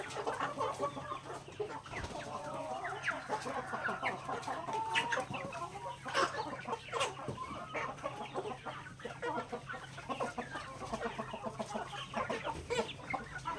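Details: Backyard native chickens pecking grains at feeding time, a flock of overlapping soft clucks and murmurs with sharp pecking clicks throughout and a steady low hum beneath.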